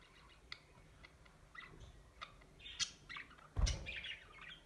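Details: Rainbow budgerigars warble in scratchy chirps and squeaky trills, with bursts of chatter rising and falling.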